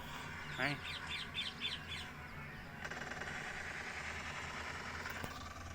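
A peacock gives a quick run of five or six loud, nasal, harmonic notes over about a second and a half, followed by steady hissing background noise and low rumble.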